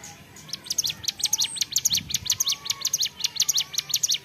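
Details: Ceplekan-style song of a hill prinia (ciblek gunung) in full voice: a steady string of crisp, high, clicking chirps, nearly two per second, continuing without a break.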